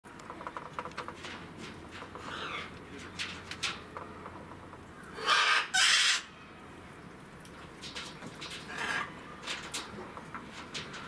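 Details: A captive Blue-fronted amazon at Saitama Children's Zoo, 3 February 2018, gives two loud, harsh, raspy squawks back to back, with softer scattered chatter before and after over a low background hum.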